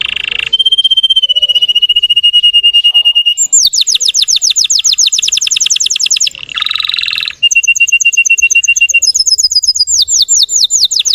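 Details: Canary of Russian type singing to excite other canaries: steady whistled tones give way to long fast trills of sweeping notes, a short rattle, then more rapid high trills.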